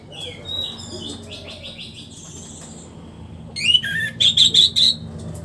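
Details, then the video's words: A post-moult caged orange-headed thrush sings soft varied phrases at first, then breaks into four or five loud, sharp, high notes repeated in quick succession near the end. "memancing suara anis merah setelah ngurag"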